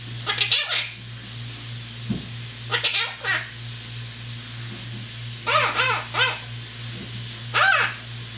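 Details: Pet parrot indoors imitating whistling, speech, meowing, barking and yelling; four bursts of harsh, stacked, yelling and barking-like calls come about every two to three seconds over a constant low hum.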